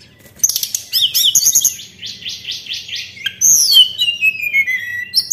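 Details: White-browed shortwing song played as a lure: a rapid series of high chirps and repeated rising notes, followed by a long descending whistle and scattered thin notes.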